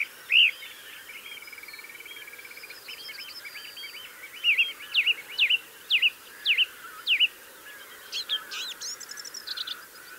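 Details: Mistle thrush singing from a gorse bush near a blue tit and a yellowhammer: loud, clear whistled phrases given in quick series, with a steady thin trill early on and busier high chattering notes toward the end.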